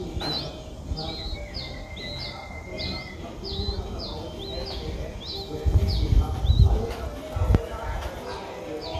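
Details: Streak-eared bulbul nestling at seven days, eyes just opened, Ubon Ratchathani, Thailand, on 9 April 2023; clear repeated thin upslurred squeaks about twice a second, then low thumping handling noise.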